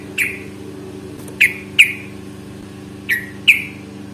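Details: Yellow-vented bulbul fighting recording meant to draw other bulbuls into calling; sharp chirps, some paired, spaced a second or more apart over a humming background.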